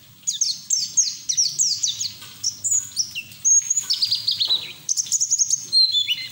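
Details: Pleci (white-eye) singing in a fast twittering style with open beak, used as training audio to coax other white-eyes into song; high thin notes sweeping downward, run together in quick bursts, some longer level whistles between.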